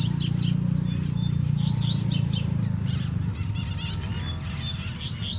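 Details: Wild double-collared seedeater singing in the bush, its calls tied to a territorial fight. Quick high whistled and buzzy notes, rising and falling, come in a rapid series over steady low rumbling noise. The notes fade after two seconds.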